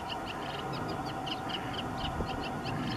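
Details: Singing Eurasian reed warbler filmed in May 2017 at Waterland along the Uitdammerdijk: a steady chattering of short, repeated high notes in pairs, partly masked by a loud constant low rumble.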